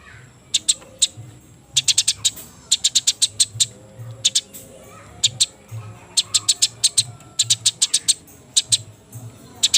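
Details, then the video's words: Fighting Eurasian tree sparrows, wet, just before dusk, call in repeated clusters of sharp high chirps, each run of four to six notes followed by short silences, steady low rumble underneath. "Burung Gereja tarung gacor posisi basah menjelang magrib"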